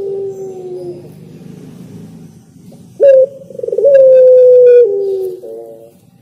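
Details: Singing spotted dove: a soft low coo fades out, then after a pause a sharp note leads into a fluttering roll and a long, loud, level coo that slowly drops in pitch and ends in a brief double note.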